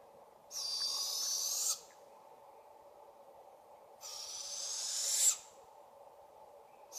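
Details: Juvenile Barred Owls in a British Columbia forest calling for their parents: long harsh, hissing rasps about a second each, two full calls and the start of a third, spaced roughly three and a half seconds apart.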